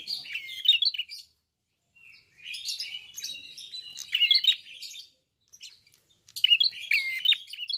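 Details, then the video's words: Klawu, a red-headed prinia, singing hard: chattering high chirps and scratchy trills in three bursts broken by brief silent gaps. "BUKA PARUH FULL GACOR BURUNG PRENJAK KEPALA MERAH/KLAWU"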